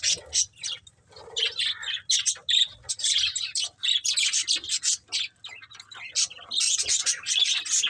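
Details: Budgerigars of a breeding pair chirping busily in quick, bright, high notes and scratchy warbles. Bursts follow one another with only brief pauses throughout.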